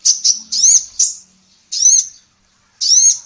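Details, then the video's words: Female kolibri ninja sunbird, a training recording for songbirds. Loud, high, ringing chirps come in uneven bursts with short pauses between them. "SUARA BURUNG KOLIBRI NINJA BETINA GACOR"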